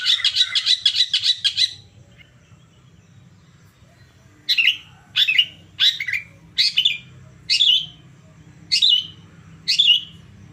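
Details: Long-tailed shrike stimulus song meant to make a listening bird respond. A rapid scratchy chatter opens the passage, then after a pause come seven separate harsh, rasping notes about one second apart, over a faint low hum.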